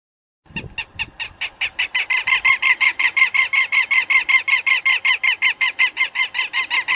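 Southern lapwing giving a rapid series of harsh, strident notes, nearly three per second, steady and loud throughout; no other sounds.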